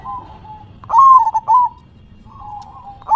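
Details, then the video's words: Zebra dove, a captive perkutut, singing its manggung song: a loud burst of short stuttering cooing notes near one pitch, followed by softer drawn-out warbling trills before and after. "Perkutut BERDZIKIR, Manggung nya Geleng -geleng Kepala"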